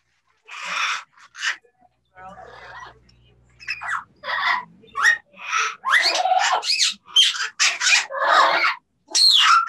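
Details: Two parrots calling to each other, possibly using English words: a brief low hum early on, then a fast series of harsh, broadband squawks and chattering bursts with no clear rhythm.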